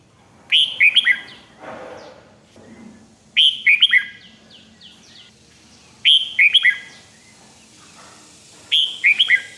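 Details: Red-whiskered bulbul repeating the same 'rik' phrase four times, about every 2.7 seconds, each a quick run of clear down-slurred whistles; played to get other birds worked up.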